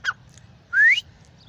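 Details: Grey francolin (irani teeter) giving a single loud whistled note that rises sharply in pitch, preceded by a brief short chirp, over a faint low background rumble.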